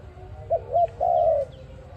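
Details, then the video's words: Single dove coo phrase, used as a trapping lure: two short clipped notes then one longer steady coo, with faint high chirps of other birds behind. "Sound of ARIMIX dove quality sound to use for trap"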